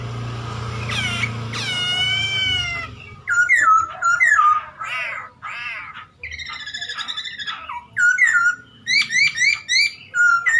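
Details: Chinese hwamei in full song meant to rouse other caged birds; a rich drawn-out wavering whistle, then varied sharp whistled notes and buzzy trills, closing with rapid repeated looping phrases, over a low background hum.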